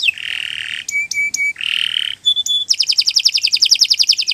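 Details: Canary singing as a training master for other birds: harsh buzzy bursts alternating with short clear tonal notes, then a fast bright trill of repeated notes.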